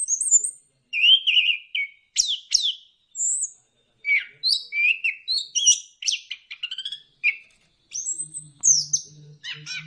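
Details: Orange-headed thrush in full varied song, used to stimulate birds to sing: rapid sequence of whistles, trills and high chirps in quick succession, with mimic-like variety and a faint low hum near the end.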